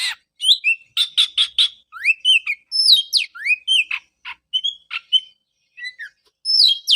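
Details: Oriental magpie-robin song played to a bird that stopped singing after moulting: a burst of rapid repeated rasps, then rising whistles, level high notes and sharp chips in a varied, energetic sequence.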